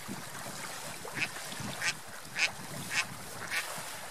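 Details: Ducks on a lake swimming and flying; five fairly soft, spaced quacks about every half second over louder splashing and water noise.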